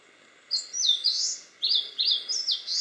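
An Eastern crowned warbler sings two quick phrases of high, slurred, rushing notes about a second apart. A faint steady hum lies underneath.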